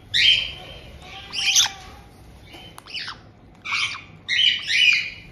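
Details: Adult pet white-bellied caique welcoming a newly arrived two-month-old caique, giving five harsh, shrill, buzzy squawks, about one a second with short quiet gaps; nothing else stands out.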